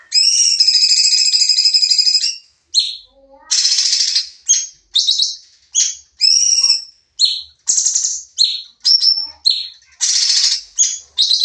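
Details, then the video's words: Sooty-headed bulbul in a training recording of rapid 'nembak' song: a long harmonic whistled phrase, then a quick run of high chirps, buzzy bursts and short upslurred notes with brief gaps. "masteran burung cucak cungkok nembak"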